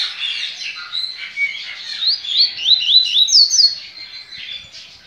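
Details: Captive yellow-bellied seedeater at a licensed Brazilian breeding facility, recorded 23 November 2019: a busy run of bright, high chirps building into a rapid series of sharp rising whistled notes, then trailing off into softer twitters.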